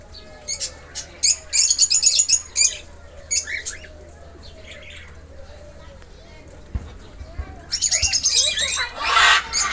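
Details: Baby cockatiels just out of the nest on their first flight, giving rapid, high, scratchy chirps in bursts, with a pause in the middle and a loud rush of flapping wings near the end.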